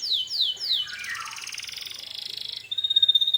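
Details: Canary bait song, gacor style, meant to provoke other canaries into replying: three descending sweeps, a dense buzzy slurred trill, then a fast ringing high-pitched trill.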